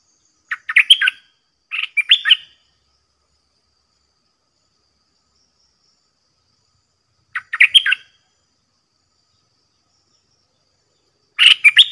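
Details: Caged red-whiskered bulbul of the 'dok taeng' song style, used as a decoy to challenge wild birds, sings short bright chirpy warbled phrases in three bursts across twelve seconds, with silence between.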